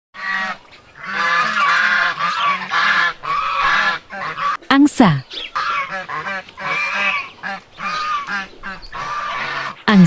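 Domestic geese honk loudly in harsh, nasal, overlapping bursts, repeated almost without pause.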